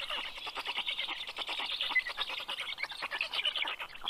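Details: Black stork storklets at a camera-watched nest in Karula National Park, Estonia, 8:09 pm, 11 June 2023, the male bringing fish. Grating, fast-stuttering wheeze throbbing in short waves throughout.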